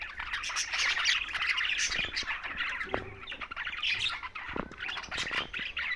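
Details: Green budgerigars during mealtime, tagged Larkana, Sindh: a dense, continuous chatter of overlapping chirps, warbles and short squawks from several birds, with a few sharp clicks and wing flutters.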